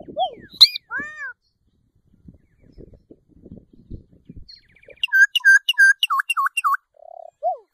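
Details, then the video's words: Solitary cacique giving a varied song: a sharp high note, then arched whistles, a scatter of soft clicks, and a rapid run of clear, bouncing U-shaped whistles repeated about five times, ending with a short nasal note and a rising whistle. "Boyero Negro Canto! Llamado! Sonido! Cantando - Solitary Cacique Song - Cacicus Solitarius"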